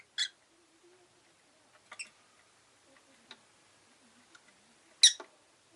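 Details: Rosy-faced lovebird (Agapornis roseicollis) in a room: a few short, sharp, high chirps, two louder bursts near the start and end, with faint scattered clicks and quiet street noise between.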